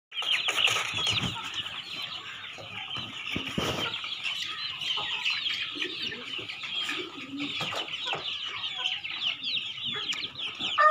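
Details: Black (karinkozhi) chicks offered for sale at Changanacherry: a crowd of chicks peeps continuously, high and shrill, with many overlapping cheeps. Chicken.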